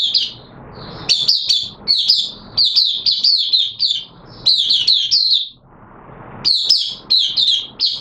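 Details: Kept oriental white-eye in an open song session during wet weather on 6 September 2022: rapid bursts of high, thin twittered notes strung into chattering phrases, pausing briefly between runs, with a faint low room hum.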